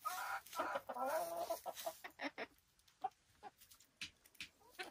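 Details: Silkie chickens kept on a Vermont hill homestead: a burst of harsh, overlapping clucks and squawky calls for about two seconds, then scattered sharp clicks and scratching sounds.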